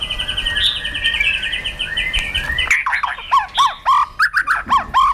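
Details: White-rumped shama, a trained bird provoked to fighting song on its perch, tail flicking; a long sustained whistle with soft wavering notes, then a rapid run of short clear slurred notes repeated in quick succession.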